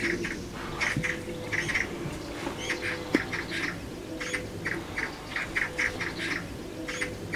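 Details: Magpies fighting around their nest at the bottom of a garden give harsh, rattling chatters: short grating bursts in quick clusters every half second or so, over a low background hum.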